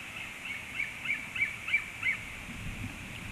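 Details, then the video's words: Eaglet calling: a series of short thin high chirping notes, about three per second, rising then fading after two seconds over steady background hiss and low rumble. "eaglet call"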